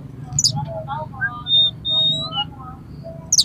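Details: Aroused, fighting oriental magpie-robin whose song is used to provoke rival birds; long steady high whistles and lower warbled notes, framed by sharp descending high chips at start and end, with low background hum.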